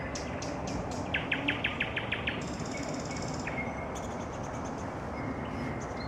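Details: A nightingale singing in the evening: a fast run of repeated sharp notes near the middle, then a sustained high buzzy trill and further clipped phrases, over a steady background hum of insects or distant noise.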